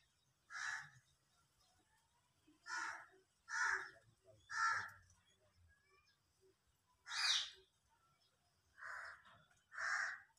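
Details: Peacock calling during its dance display: a series of short, loud, nasal honks, mostly single but some in quick pairs, spaced irregularly about two seconds apart over quiet background.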